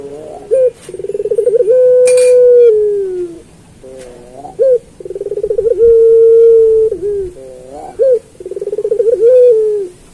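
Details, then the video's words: Turtle dove (puter pelung) with a fine voice, recorded for tutoring other birds, coos low and hollow in repeated phrases about every three seconds, each a quick throbbing run swelling into one long drawn-out note. "Suara Burung Puter Pelung"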